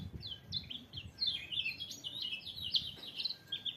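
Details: Continuous high, sweet twittering from a white-eye: chains of short downslurred and upslurred chirps with hardly a pause, over light background rumble.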